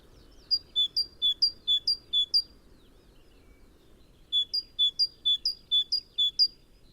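Great tit singing two bursts of its ringing 'teacher-teacher' song. Each has about seven bright high-low phrases at roughly three per second, over a faint low background hum.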